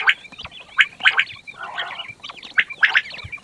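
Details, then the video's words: Fat quails calling in the morning: harsh, nasal, chattering notes in quick overlapping bursts, several birds at once, with one lower rasping burst in the middle. "The sound of fat quails morning 1quail sound موٹا بٹیروں کی آواز بہت صاف آواز"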